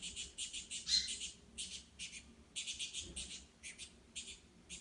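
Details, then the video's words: Wild saffron finch delivering a run of high, sharp chirping notes grouped into short rapid bursts, one rising squeak near the start, with a quiet low rumble behind. "Canário da Terra na Natureza"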